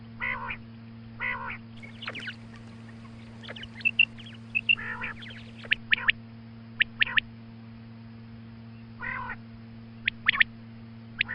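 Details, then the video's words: Female quail in morning calling: spaced nasal bursts and thin, sharp chirps with long pauses between, over a persistent low hum. "Female Quail Calling Suba Lagty waqte Ki Awaz Female Batair Calling"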